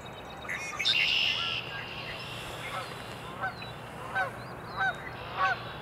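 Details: Cold April morning at the Cornell Arboretum, a red-winged blackbird in songspread: one loud buzzy trill under a second long, then four spaced, nasal honking calls from another bird about every half second to second.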